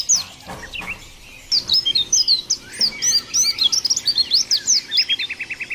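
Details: Mountain white-eye song: after some faint scratchy calls, a dense stream of high twittering whistles, ending in a fast rattle of repeated short notes.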